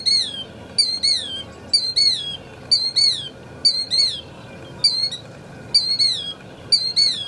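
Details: A Killdeer, a frequent visitor to rice country in Glenn County, repeats shrill, high, down-slurred two-part notes, about ten in seven seconds, over a faint low background rumble.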